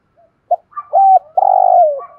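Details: Spotted dove decoy cooing in the thổ voice to call wild birds: a faint soft lead-in, a quick note, a level coo, then a long hoarse coo that slides downward, ending abruptly.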